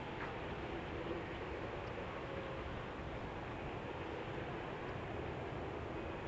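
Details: Steady low rumble of passing vehicles or a train fills the recording, with broadband mechanical noise and no animal voice heard.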